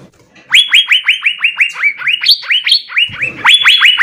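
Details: Asian fairy-bluebird singing hard in full fill-in style, for use as a tutor song: loud, clean upswept whistles repeated rapidly, with a few higher notes, one brief low thud near the end.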